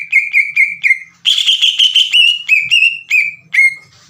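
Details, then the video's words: Green leafbird singing loudly to provoke other leafbirds into responding: a few clear whistled notes, then a harsh buzzy rasping stretch, followed by more separate whistles with a low hum beneath. "PANCINGAN CUCAK IJO GACOR AGAR CUCAK IJO BAHAN IKUT BUNYI"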